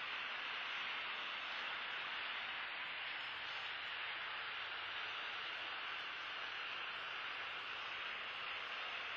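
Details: Steady broadband hiss from a live nest camera, like static or distant engine noise, with no animal calls heard.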